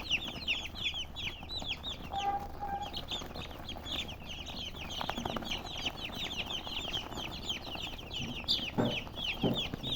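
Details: Flock of chickens chirping in high, slurred notes throughout, joined by a short steady lower tone early on and a few dull knocks near the end.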